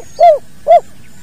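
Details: Spotted dove in natural recording of the kuk dua call style used for training other birds: two short, loud, arched coos about half a second apart, over a faint steady high whine.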